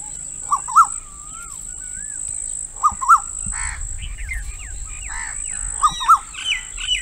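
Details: Female Asian koel giving short pairs of sharp notes, spaced a couple of seconds apart, among whistles and chirps from other birds, with a constant high whine in the background.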